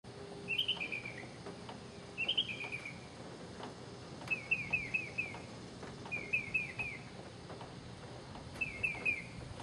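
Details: A male mockingbird in Okeechobee sings short, bright phrases of three or four quick chirps, spaced about two seconds apart, over a steady hiss of background noise.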